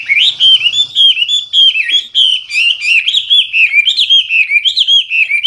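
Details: Hwamei delivering loud, clear gacor song with full isian: continuous rich whistled phrases that waver up and down in quick slurs, almost without pause, with a brief low rumble at the start.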